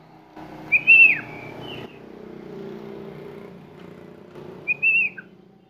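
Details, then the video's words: Sooty-headed bulbul singing a variety of phrases: a bright whistled note that bends downward, a pause with low background hum, then a second clear whistled phrase. "KUTILANG GACOR BONGKAR ISIAN"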